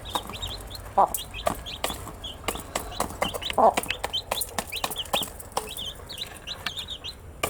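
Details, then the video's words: Baby chicks, newly hatched, chirping while active: repeated high arched peeps in twos and threes, nearly continuous throughout, over frequent crisp clicks and occasional louder thumps. "Cute Baby Chicks with chirping sound"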